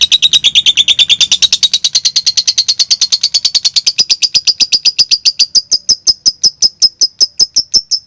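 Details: Lovebird singing in the konslet style, used as a training recording to provoke silent lovebirds and teach young birds. A fast, steady run of sharp chirps slowly rises in pitch, then settles into high, evenly spaced ticking notes.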